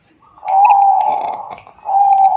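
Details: Zebra dove, Bangkok type, in Wiradesa, Pekalongan regency, Central Java, phone-recorded to encourage reluctant doves to sing: a long steady mellow coo, a brief pause, then another sustained coo begins.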